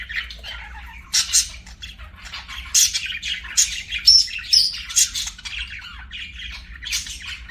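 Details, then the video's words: Several pet budgerigars singing and chirping: bursts of scratchy, warbling chatter with brief clear whistles, loudest between one and five seconds, then quieter twittering over a faint low hum. "BUDGIES SINGING & CHIRPING"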